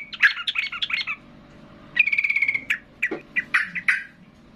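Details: Yellow-vented bulbul worked up by a loud rival. A tumbling warble leads into a quick rattled trill of evenly spaced notes, then scattered sharp chirps.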